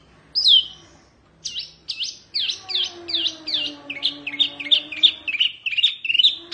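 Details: Oriental white-eye song for tutoring birds. One sharp high note is followed by a pause, then a steadily quickening sequence of bright downward-slurred chirps. A faint low tone runs in the background.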